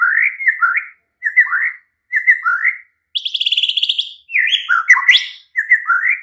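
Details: A white-rumped shama sings at night as a lure that sets a caged bird answering and singing: short whistled phrases about once a second, with a rapid rattling trill in the middle.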